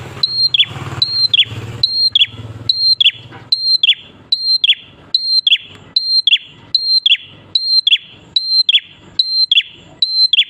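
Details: Prinia singing busily as a lure for other prinias: a long, even run of identical phrases, each a sustained high whistle dropping into a short descending slur, roughly every 0.8 seconds, with faint low rumble early on.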